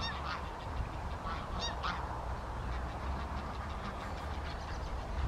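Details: Tundra bean goose at Wimpole Hall, Cambridgeshire, on 17 December 2020: a few short, nasal honks rise in pitch during the first two seconds, then fainter calls over a steady low rumble.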